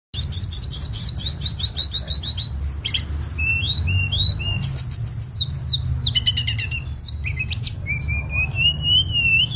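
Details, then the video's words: Tledekan song used as a master recording for training cage songbirds: fast repeated high chirps, then varied whistled slurs, short trills and a long rising whistle at the end, over a steady low hum. "MASTERAN SUARA BURUNG TLEDEKAN"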